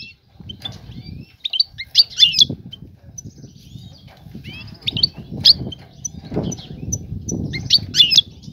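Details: Female European goldfinch calling to attract a male for mating; short bursts of high, twittering chirps come about every three seconds over a low rumbling background noise.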